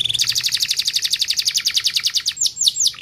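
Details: Canary song for masteran training, cengkok style: brief whistle opening a rapid, even trill of high repeated notes, finishing with a few clear downslurred whistles.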